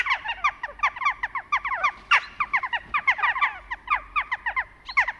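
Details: Western jackdaws calling in autumn, busy overlapping short 'chak' notes from several birds, with a sharp click near the middle.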